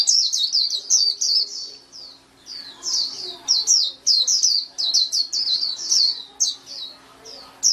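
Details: White-eye singing a long, busy stream of thin, high chirps and slurred whistles, briefly pausing, then resuming with rapid repeated notes.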